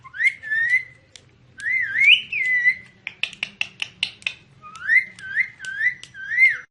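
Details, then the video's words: Indoor talking parrot alternates wavering, slurred whistles with a burst of quick clicking notes, then four repeated rising whistles in steady succession. "TALKING PARROT (BEAUTIFUL VOICE)"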